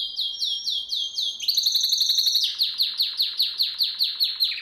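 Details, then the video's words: Canary song meant for training young canaries: a run of repeated high downslurred whistles, then a fast buzzy rattle, then rhythmic swooping notes about five per second. Bright and loud throughout, with a quiet background. "Most powerful song for training Canary"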